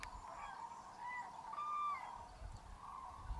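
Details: Common cranes, hundreds at a massive roost in Tablas de Daimiel National Park, Spain, waking at a freezing, foggy dawn in mid-January. Clear trumpeting notes with a few sliding, higher calls over a low background rumble.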